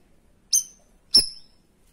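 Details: Two sharp, high metallic chips about half a second apart from a cream-striped bulbul, in the 'tembakan' style used as a model song to train other birds or rouse silent ones.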